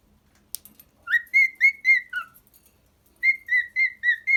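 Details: Pet cockatiel singing: a rising whistle leads into several level whistled notes, then a lower dip. After a pause comes a second run of evenly spaced whistles, roughly four per second.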